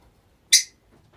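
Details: One of several rosy-faced lovebirds kept together, giving a single brief, harsh, high-pitched shriek in an otherwise quiet room.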